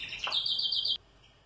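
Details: A domestic song-breed canary (Serinus canaria) sings a bright, high, rapidly trilled phrase under a second long, stepping up into a sustained shrill roll before cutting off abruptly.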